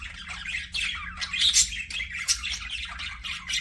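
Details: Busy budgerigar chatter: scratchy, bubbling warbles broken by a few shrill, piercing squeaks.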